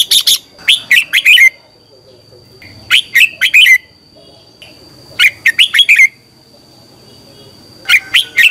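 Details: Red-whiskered bulbul singing in the morning, used as a training call for other birds: short, bright bursts of chirpy, slurred notes, about a second long, every two to three seconds, over a faint steady high whine.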